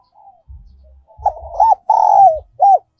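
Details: Spotted dove decoy recording in giọng còi style, called giọng kim by some. A faint coo leads into a full loud phrase of arched coos around a long falling note, with low knocks beneath.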